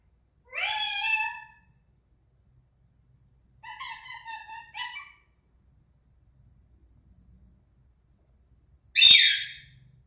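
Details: Indian ringneck parakeet indoors making strange noises: a harsh squawk, then a wavering raspy call, and after quiet a sharp loud click-like burst.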